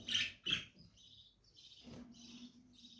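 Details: Lovebirds calling: two sharp, bright chirps in quick succession, then a soft, buzzy, high chatter that rises and falls over a faint low hum.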